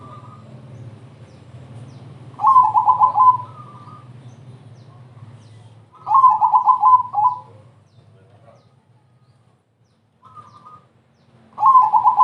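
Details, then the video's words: Crossing-type zebra dove singing to coax other doves into song: three short bursts of quick, gurgling coos a few seconds apart, with soft single notes between, over a low hum at first. "perkutut crossing gacor TERCEPAT, memancing BUNYI,semua jenis perkutut terpancing"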